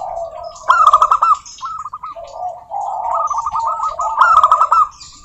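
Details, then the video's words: Local zebra doves, wild stock, singing as a lure for other doves: loud stuttering coo phrases open and close the clip, with a string of quick rippling coos from more birds in between. "Suara Burung Perkutut Lokal Gacor OBAT MACET BUNYI, pancingan perkutut agar bunyi jamin NYAUT EMOSI"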